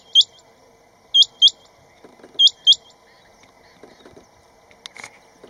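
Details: Rain Quail, a rainy-season migrant breeding in Western Ghats grassland, gives mating calls to attract partners: sharp, high, metallic notes, mostly in quick pairs, about once a second, over a low hum of distant traffic.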